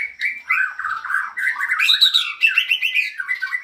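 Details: Short burst of white-rumped shama song, a busy stream of warbling whistles and scratchy chatter climbing briefly higher before quick repeated closing notes.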